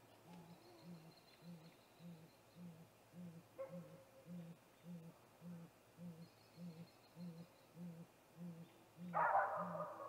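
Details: Deep, even hoots from a male great gray owl at a snag tree nest, 8:45 pm on 21 April 2019, before visiting the nest; about sixteen low hoots at a steady quick pace, ending in one harsh rasping screech.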